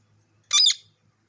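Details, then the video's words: Parrot giving a single harsh, raspy squawk lasting about a third of a second, broad and noisy in tone, with otherwise quiet surroundings. "Natural Parrot voice"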